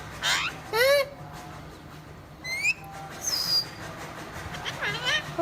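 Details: Parrot talking in Punjabi: several arched, harmonic voice-like syllables, then a short rising whistle, a thin high whistle and more looping syllables near the end, over a steady low hum.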